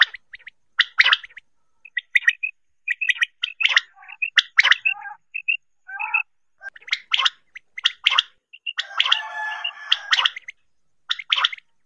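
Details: Quail calls for hunting: irregular bursts of sharp clipped notes and small whistled pips, with a harsh, broad rattling burst near the end.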